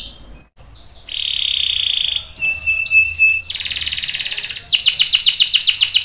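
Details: Canary singing a long roll used to tutor young and adult canaries: a brief high whistle, a sustained buzzy trill, bright level notes, a dense rattling roll, then fast descending notes about four a second.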